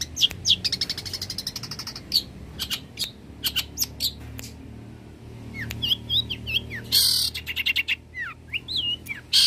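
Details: Long-tailed shrike, known to mimic many birds from small to large, delivers a varied song of rapid trills, sharp chips, looping whistles and loud harsh bursts over a low background hum.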